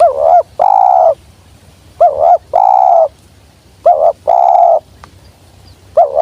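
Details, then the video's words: Spotted dove, a wild bird coming straight down, with a sweet 'jergot' call: repeated phrases of a quick bent double coo followed by a longer level hoarse coo, about every two seconds. "Burung liar nya turun langsung jergot manis"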